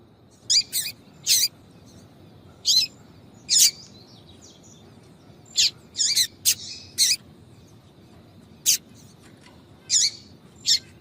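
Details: Female yellow-bellied seedeater producing the 'tui tui' call that stimulates males: repeated short bright chirps in small bunches across eleven seconds, irregularly spaced with pauses of about a second or more, faint hiss behind.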